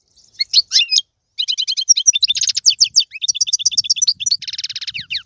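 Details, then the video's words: Goldfinch singing in the tiwawati, galoubi and serfati styles. A few sharp notes come before a brief pause. A fast continuous chatter of repeated twittering notes and buzzy rattling trills follows. "مقنين طيواواطي قالوبي و سرفاتي"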